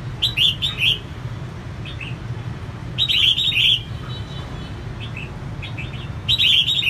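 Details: Singing female red-whiskered bulbul, kept to stimulate males, gives loud clusters of bright chirpy notes roughly every three seconds, interspersed with softer single chirps, over a continuous low drone.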